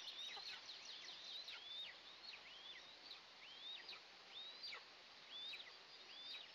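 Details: Eastern imperial eagle eaglets, two in the nest, at their first morning feeding on June 29, 2024, recorded by a nest camera. Distinct rising whistled squeaks, each ending in a quick drop, repeat about every three-quarters of a second.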